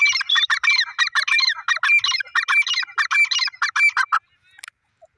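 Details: Grey francolin, called Irani teetar or dakhni teetar, from Pakistan: a rapid series of harsh, nasal, clipped notes with a squeaky edge, repeated steadily for about four seconds, then a short pause and one faint note.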